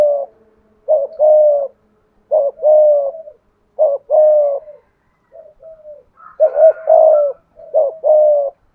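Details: Spotted dove kept as a decoy bird, cooing in the prized 'thổ' voice style: short rising note, then a longer level hollow coo near 600, paired and repeated, with one softer faint phrase in a quiet gap.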